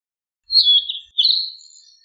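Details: Narcissus flycatcher singing: a clean whistled phrase near the upper-middle range, slurring down and back, then a second warbled, slightly buzzy phrase that trails off; quiet background otherwise.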